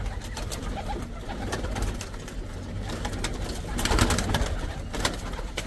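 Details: Barn pigeons and white fantail pigeons in an aviary give low, throaty murmuring coos, repeated and overlapping, under the echo of a small room with people chatting nearby.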